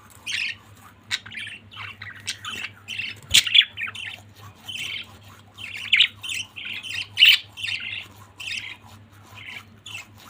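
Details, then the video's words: Budgies of one family chattering in scratchy chirps and squawks, with one loud click near the start and louder, sharper notes later, a soft hum constant behind. "Beautiful budgies family"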